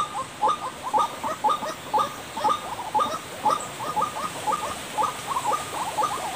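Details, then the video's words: Repeated croaking of a white-breasted waterhen, used as a lure sound: short hoarse notes, often in quick pairs, about twice each second, steady and mid-pitched, with light background hiss. "suara pikat burung ruak ruak"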